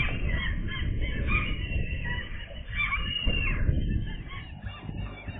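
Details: Newly airborne gull chicks give many overlapping shrill squealing calls, some sliding downward, in a continuous chatter above steady low wind noise.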